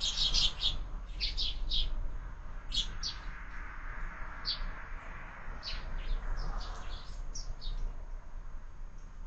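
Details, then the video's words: Sparrows at a bird feeder mounted on a window, starting breakfast, fed year-round. Bright short chirps, quick clusters in the first two seconds, then scattered single chirps over a steady low hum. "Воробьи в кормушке - Завтрак стартовал"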